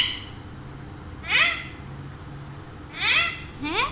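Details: Captive Alexandrine parakeet, one of a pair said to talk in Urdu and Hindi, gives moderate downward-sweeping raspy calls about one and a half seconds apart. The last call ends in a rising slur, over low room noise.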